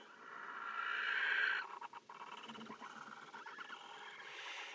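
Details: Barn owls mating in a nest box: a loud, drawn-out wheezing screech lasting over a second, followed by fast, scratchy chittering and clicks, then a fresh hiss building toward the end.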